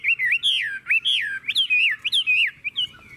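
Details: A tame, caged Chinese hwamei, its cage cover opened, sings loud, rich whistled phrases that swoop and slur up and down, delivered rapidly in varied bursts with no other sounds.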